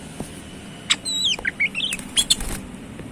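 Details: Kacer, the Oriental magpie-robin, described as super jinah: a descending whistled slur, then short rising and falling whistles and a few sharp high notes, over low hum.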